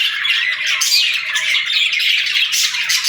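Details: Pet budgerigars, several birds together, chirping and chattering without pause: dense, scratchy warbles and squeaky notes overlapping throughout, with a faint steady tone in the background.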